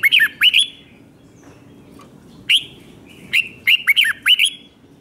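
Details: Red-whiskered bulbul, Thailand, in a repeated five-syllable song style sung in doubles and triples for young birds to copy. Several quick phrases of bright, warbling whistles, each a few rising and falling notes, come in close succession with short pauses.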